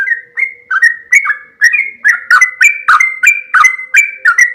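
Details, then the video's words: Loud, energetic sooty-headed bulbul song: sharp, sliding chirps repeated about three times a second, some falling and some rising, with a faint constant hum and an occasional light tap. "trucuk kebo suara lantang, auto gacor"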